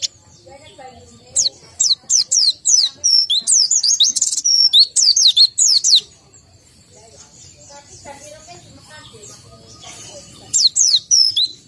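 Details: Caged white-eye (pleci) said to be low in breeding condition; bursts of fast descending whistled trills and twitters for several seconds, a quiet pause, then another short burst near the end.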